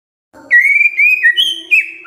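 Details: White-rumped shama song played to get other birds singing: a clear whistled phrase holding steady, then stepping up to a higher note and dropping back, ending on a rising slur.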